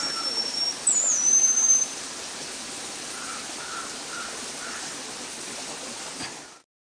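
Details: Sri Lanka whistling-thrush (Myophonus blighi), a rare, shy endemic, giving a very high, thin whistle, briefly wavering then held steady, over the constant rush of a stream.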